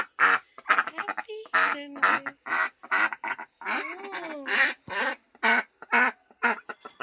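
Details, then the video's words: Duck kept at home, giving loud raspy quacks in quick succession, roughly twice a second, with a few brief gliding tonal sounds mixed in. "duck sound"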